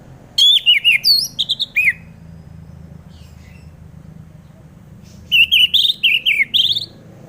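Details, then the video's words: Orange-headed thrush song used as a lure for other birds: two bursts of quick, varied whistled phrases with swooping notes, separated by about three seconds of near silence. "Pancingan Suara Burung Anis Merah"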